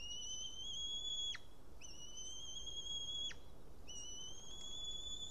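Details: Returning male White-tailed eagle at its Estonian nest after ringing, midday 8 June 2018, having brought and lost a fish. Three long flat high whistles roughly every two seconds, each slightly rising and finishing in an abrupt downward slur.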